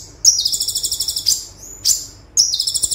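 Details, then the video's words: Olive-backed sunbird singing 'tembakan' for song tutoring: loud, fast, buzzy pulsed trills, nearly continuous, each opened by a sharp high chip, with a brief thin whistle between. "Konin Tembakan Super Mewah - Konin Gacor Full Tembakan - Masteran Konin Gacor"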